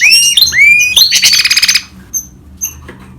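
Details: Hybrid of goldfinch and canary delivering a short phrase: rising slurred whistles followed by a fast buzzy trill that stops abruptly, leaving two faint high chips.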